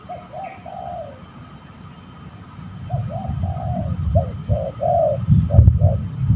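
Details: Spotted dove fighting at a bird-trapping site: a series of short and longer rolling coos, softer than other sounds, as low rumbling and handling noise builds toward the end.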